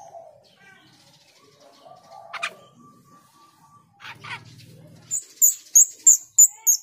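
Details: Female grosbeak starling (jalak rio) calls used as a lure: after a few scattered faint notes, a run of five sharp, high chirps repeated about every third of a second, with some low background noise.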